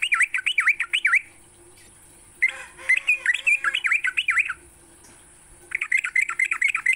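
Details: Sooty-headed bulbul morning song used as a lure to get kept bulbuls singing. Bursts of rapid, bubbly V-shaped whistled notes, about a second each, separated by pauses, with a steady high electronic whine behind.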